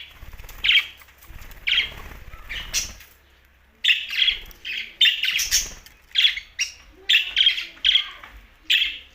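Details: Budgerigars from Larkana, Sindh, chattering: rapid runs of shrill, bright chirps in clustered bursts. Sparse notes come first, then a brief lull, then a busier, nearly continuous stream of squeaky calls.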